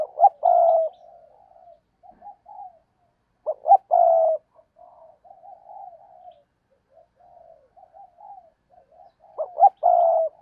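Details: Decoy spotted dove kept to attract wild doves. Three loud phrases, each two clipped notes and a sustained croo, come roughly every four seconds, with soft low murmured coos in between.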